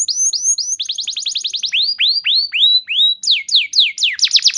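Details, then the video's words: Canary singing a lure song meant to spur other canaries into full, long song: quick series of high downward-swept whistles, then a rapid rolling trill, then slower falling slurs and sharp, fast-repeated chips near the end. "Terapi Burung Kenari Cepat Bunyi Gacor Dengan Suara Pancingan Kenari Gacor Nembak Panjang Ini"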